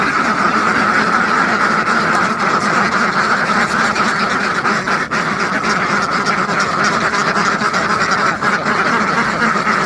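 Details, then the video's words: Hundreds of farmed ducks call nonstop, a dense racket of rapid, overlapping quacks roughly four a second, holding steady for ten seconds. "SUARA BEBEK ASLI WEK WEK | DUCK SOUND EFFECT , DUCK SOUNDS , RATUSAN BEBEK TERNAK"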